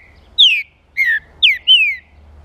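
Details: Green-winged saltator (trinca-ferro) singing a song used to stir up other saltators: four loud, clear whistled notes, each sliding downward, the second lower and shorter, the last two close together, over a quiet low hum.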